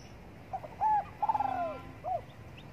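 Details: Spotted dove in morning sun utters one clear cooing phrase: a brief soft lead-in, a smooth held coo, a vibrating descending coo, and a final short coo, over quiet background hiss.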